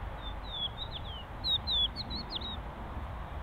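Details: Crested lark at its ground nest with small chicks in farmland in the Czech Republic gives a quick string of clear, slurred whistles, mostly falling, a few rising, several notes per second, over a low rumble of wind.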